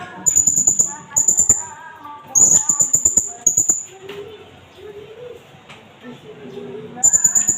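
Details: Blue-crowned hanging parrot in Indonesia, recorded as a lure and tutor recording for other birds. Rapid bursts of very high, thin, sharp notes come in short strings separated by pauses, over a mosque loudspeaker voice in the background.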